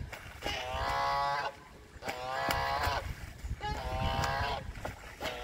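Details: Canada geese fighting: long, loud, nasal honks lasting about a second each, three main bursts spaced roughly every one and a half seconds, with short clicks and low background rumble.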